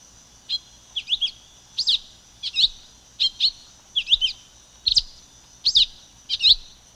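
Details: Silver-beaked tanager singing a steady series of short, sharp, high chirped notes, some doubled, roughly two every second, over a faint constant high-pitched hiss.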